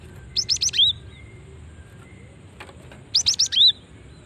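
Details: Female cinereous tit calling to attract other tits; two matching phrases of three or four quick high chirps ending in a down-slurred whistle, about three seconds apart, with faint hiss.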